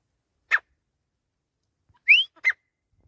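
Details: Grey francolin (teetar) calling: a sharp clipped note, then after a pause one upward-sweeping whistle quickly followed by another short harsh note, with silence between.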